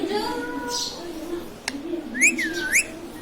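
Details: Talking pet ring-necked parrot indoors producing a steady tone, a sharp click, then two swooping whistles that dip and rise again, with faint background hum.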